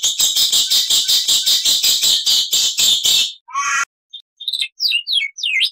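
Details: Black-winged starling in a loud master training recording in full-fill style, giving a fast run of harsh, buzzy notes about every third of a second, then a short squeal and several high, quick whistled slurs.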